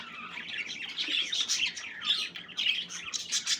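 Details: Several playing budgerigars chattering nonstop, overlapping warbles, chirps and squeaky notes in a dense, lively flock sound with no pauses.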